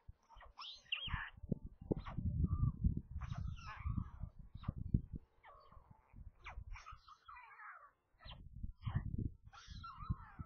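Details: Young white storks at a nest near Kaluga, Russia, squabbling at lunchtime feeding on 27 May; rapid harsh squeals and mews in quick succession, mixed with loud low bumping and scuffling noises.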